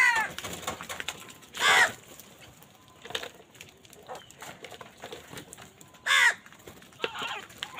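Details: Crow squabbling over food: two loud, rough caws about four seconds apart, with softer scattered calls and clatter in between.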